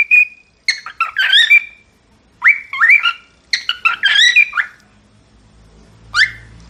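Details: Cockatiels singing: bright whistled phrases with rising and falling slurs, given in bursts of roughly a second separated by short pauses, ending with a single upslurred note over faint low background hum.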